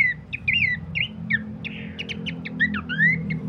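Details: Bush babbler used as a master song for training cage birds: clear looping whistles and short chirps, some notes sliding upward, delivered in a steady chattering series over a low droning background.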